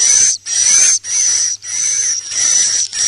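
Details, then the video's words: Swiftlet roosting lure sound in the 'inap plus' style: a continuous, very high, thin buzzing trill broken by short pauses roughly every half second. "SUARA BURUNG WALET🐦 INAP PLUS"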